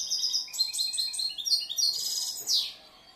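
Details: European goldfinch, a caged bird from last year with a varied song, gives a short rush of high tinkling notes and trills, ending in a sharp downward-swooping note.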